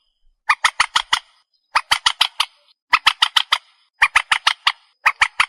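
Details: Lure recording of a purple swamphen for night hunting: clear bursts of five or six harsh, nasal clucks in quick succession, repeated about every second.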